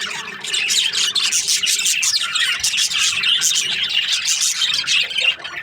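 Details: Budgies kept as breeding pairs keep up continuous chirping, a thick wall of high twittering and scratchy warbles from several birds, briefly dipping near the end before a last sharp burst.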